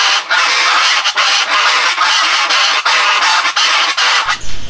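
Chachalacas give a loud, harsh, raucous chorus of rapidly repeated cackling notes, pulsing several times a second with hardly a pause. A low rumble enters at the end.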